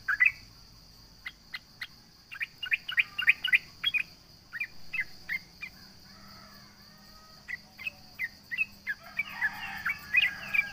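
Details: Trucukan or sooty-headed bulbul singing to challenge rivals: scattered short whistled notes in loose runs, a quiet gap, then a denser chattering phrase to close, against a steady high hum.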